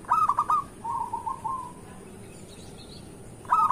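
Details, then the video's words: Local zebra dove singing to draw in other doves in the morning: a stuttering rolled phrase, then a softer fading trill, a two-second pause, and the start of another loud rolling phrase. "Perkutut lokal gacor pancingan untuk pagi hari"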